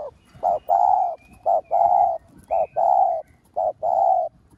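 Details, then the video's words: Spotted dove cooing as a lure to stimulate other doves: low hollow coos in repeated phrases, a short note followed by a longer drawn-out one, each pair repeating about every second, over faint background noise. "Cu gáy mồi cây gáy gọi thúc ,gù bổi hay. tiếng cu gáy mồi cây kích bổi hiệu quả, cu đất gáy"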